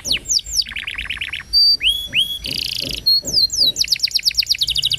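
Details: Canary song used to prompt young birds to sing: quick descending slurred notes, two sweeping whistles, a harsh buzzy burst, then fast repeated high sweeps rolling into a rapid chattering series.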